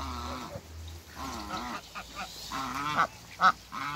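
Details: African geese, a couple meeting on a farm among waterbirds, give repeated nasal honks with strong harmonic stacks, some rising and falling, over a low steady hum and a few sharp clicks.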